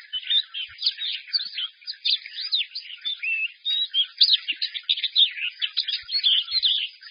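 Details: Loud caged white-eye song, delivered while the cage is held up, bright and forceful with many syllables including xiaoxu, swallow-call and sparrow-joy phrases; fast high-pitched twittering with sweeping slurred whistles, continuous throughout, a few faint knocks below.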